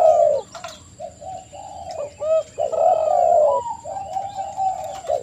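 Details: Spotted dove, known locally as tekukur, singing: low mellow coos with rolling, slightly descending notes in phrases, with a steady high electronic whine in the background.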